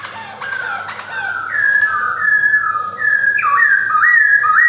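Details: Caged male white-cheeked Black-throated laughingthrush, kept in a collection in Yogyakarta, Indonesia, in 2021. It sings a loud series of clear whistled notes that glide up and down, with sliding and stepped phrases and a rising ending.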